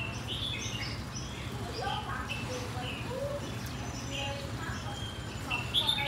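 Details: Red-whiskered bulbul, a Phetchaburi bird, singing short, liquid, whistled phrases with a lilting, floating lift at the end; other birds chirp nearby over a steady low hum and faint murmur.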